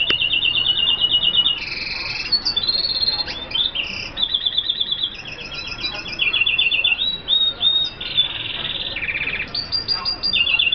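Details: Continuous song from an F1 hooded siskin, high and twittering, built from buzzy trilled phrases that jump between pitches, with short pauses between bursts.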